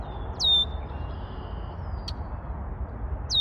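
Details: Red-winged blackbird singing a bright, piercing downward slide ending in a prolonged high tone, with a quieter trailing note, a sharp click, and another phrase starting at the end, over low background rumble.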